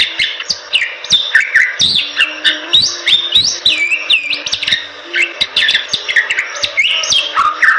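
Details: Bali myna pouring out energetic song for training other birds: varied whistled phrases that bend sharply up or down, harsh notes, and crisp clicking ticks, nearly continuous.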